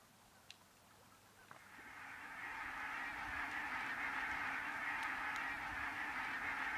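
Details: Thousands of Arctic barnacle geese on migration, resting a few kilometres from town in central Finland. A few isolated barks open, then the flock swells into a dense, continuous chorus of overlapping yapping honks that holds loud to the end.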